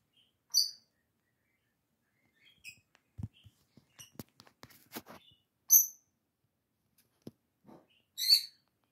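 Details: A captive lovebird calls out to its sister, who does not answer: loud, brief piercing chirps, one near the start, one midway and a doubled one at the end, with scattered clicking and tapping noises between.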